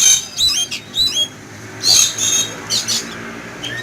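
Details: Caged Oriental magpie-robin set out in a yard in the morning, agitated and frightened on seeing an eagle fly over; sharp high squawks and whistled notes in short bursts with pauses between.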